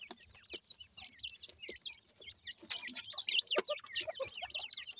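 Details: Young Pakistani Dakhni teetar chicks, kept partridges, during feeding time: a busy chorus of high, quick, up-and-down peeping chirps from several chicks, with sharp dry clicks and taps scattered throughout.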